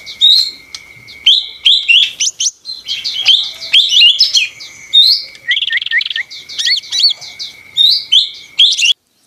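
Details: Energetic song of a lesser green leafbird, called ijo mini locally: lively jumble of sweet whistles, rising slurs, rattling trills and chatter in short bursts separated by brief pauses, a constant faint high tone underneath.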